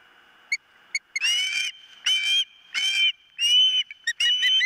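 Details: Osprey at its nest: a few brief soft chirps lead into harsh, drawn-out whistled screams, four long notes with thin high chips between them.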